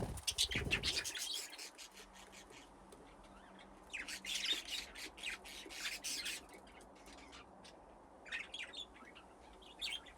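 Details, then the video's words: Budgerigars playing in an aviary fitted with nesting boxes give bursts of high, scratchy chirps and squawks. The calling comes in clusters at the start and again midway, with quieter gaps between them. "Budgies playing in the aviary"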